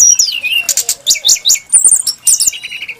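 A brown-chested jungle flycatcher sings a rich, fast medley of high whistles, sliding descending notes and sharp chattering phrases, with brief pauses between bursts.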